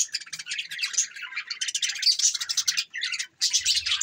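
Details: Continuous budgie chatter from standup budgies: bright, rasping chirps and trilled warbles tumbling together, a short gap near the end, and a faint low hum at the close. Dated December 22, 2023.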